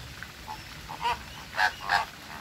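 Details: Honking flamingo: soft lead-in notes, then three louder nasal honks in quick succession, with a constant hiss underneath.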